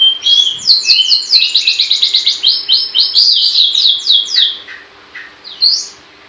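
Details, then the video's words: Long-tailed shrike in full gacor song, packing quick descending chirps into a dense run that slows and thins toward the end, closing with a lone upward note over a faint hum. "Burung pentet gacor"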